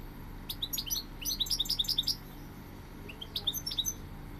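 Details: A goldfinch sings lively liquid twitters, a fast chain of high sliding notes lasting over a second, then a shorter phrase after a gap, over a faint constant hum.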